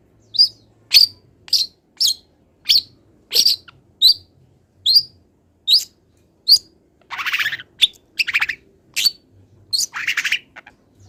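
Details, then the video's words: Long-tailed shrike, still moulting, singing a song packed with imitations of wild birds. Sharp, high, down-slurred chips come about every half second, then harsh raspy notes alternate with further chips. Background otherwise quiet. "MASTERAN CENDET FULL ISIAN BURUNG LIAR"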